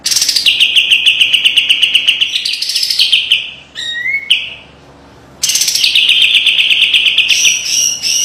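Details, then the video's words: Kapas tembak white-eye singing sharp 'besetan rapet' song: a long, fast, buzzy trill that rises in pitch, a falling-rising whistled slide, a second of quiet, then another loud, dense trill to the end. "SUARA KAPAS TEMBAK TAJAM DAN PEDAS‼️ SPESIALIS BESETAN RAPET PALING COCOK MASTERAN"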